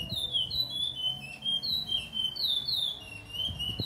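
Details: Caged chestnut-bellied seed finch (curió) singing slowly in the late afternoon, about 17:30 on 8 September 2022, a continuous run of clear, sweet whistled notes that slur up and down, with a faint indoor hum beneath.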